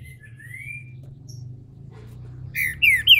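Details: ['Green-winged saltator kept by a Brazilian breeder, giving a soft rising whistle before bursting into loud, slurred whistled notes of its main song, cut off at the end, over a low hum.']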